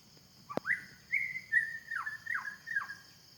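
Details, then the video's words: White-rumped shama in forest, singing a phrase that opens with a sharp click, then sweet level whistles and three quick descending slurs, against a steady high-pitched background drone. "Suara burung murai batu di hutan"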